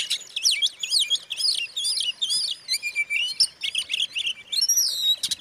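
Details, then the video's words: Provoking song of a white-rumped shama: rapid rattling chatter of dense chirps and whistles, with a clear falling whistle and a longer slurred whistled phrase near the end. "suara kacer buat pancingan kacer lain emosi"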